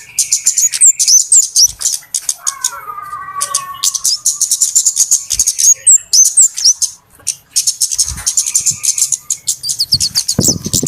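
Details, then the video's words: Trapping lure of flowerpecker calls, noisy and busy: rapid-fire high ticking chips at several per second, a few sharp upslurred whistles, and a lower descending twittered phrase early on. "SUARA PIKAT BURUNG KEMADE RIBUT/ BURUNG CABE-CABEAN"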